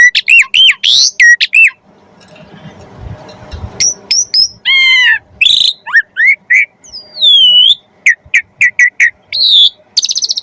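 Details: Jalak suren song for training magpie-robins: loud whistled phrases, a soft noisy pause, then harmonic nasal notes, a long falling whistle and a quick run of chips ending in a rasp.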